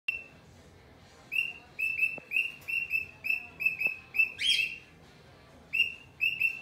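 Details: Cockatiel calling: a series of short, bright, slightly downslurred chirps repeated in quick bursts, a louder harsh squawk near the middle, and a few faint clicks in a quiet room.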